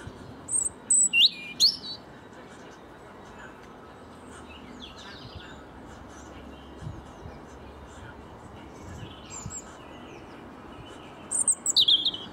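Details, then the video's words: A European robin, perched watching a lawn being mowed and unbothered by the loud lawnmower, sings two short bursts of high, thin, tumbling notes with faint quiet twitters between. "Robin Chirping and Singing"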